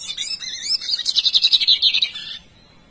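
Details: Bigodinho singing, a high phrase of varied whistled notes followed by a fast run of about fifteen sharp repeated chips that ends abruptly, with quiet background.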